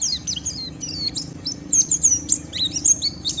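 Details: White-eye in vigorous, rough ngeriwik song to stimulate rivals: a tumbling series of high, thin whistled slurs and clipped chirps, delivered fast and almost without pause, over a faint steady low hum.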